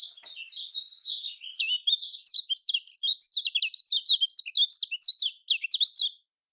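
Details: Lombok-style kecial kuning song, aimed at stirring silent birds to sing: a steady, hurried chatter of high, clipped chirps and slurred notes lasting about six seconds.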